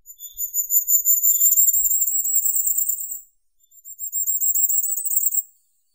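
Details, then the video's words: Firecrest singing two very high, fast, shimmering phrases. The first lasts about three seconds and the shorter second comes after a brief pause, with a couple of soft lower chips near the start. "Как поёт Королёк красноголовый (Regulus ignicapillus)"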